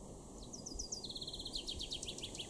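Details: A male common chaffinch (Fringilla coelebs) sings in a garden in Weener, East Frisia, northwest Germany, in July 2022: a bright, fast phrase of high sliding notes quickening into a rattling trill, then a descending tumbling run, over a steady low hum.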